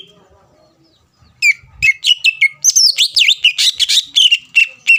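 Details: Greater green leafbird lure song meant to provoke rivals: after a quiet second, a fast series of sharp whistles and buzzy sliding notes, rising and falling, packed closely together.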